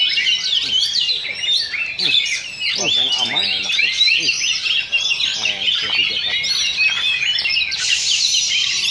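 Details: Oriental magpie-robin song at a Sunday practice singing contest in Sindanglaut, second session, two birds in a duel. Fast jumbled whistles, trills and chatters pour out continuously. Human voices talk underneath, and the song brightens near the end.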